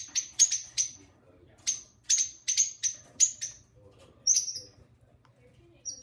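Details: Two pet lovebirds talking and singing at home: a run of sharp, high-pitched chirps, about nine bursts in six seconds, some doubled, over a faint low hum.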